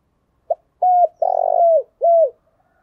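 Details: Clear spotted dove call, played to excite newly caught doves into the 'giọng thổ' voice: a pip, a flat coo, a prolonged rolling buzzy coo curving down, and a final descending coo, with near silence around it.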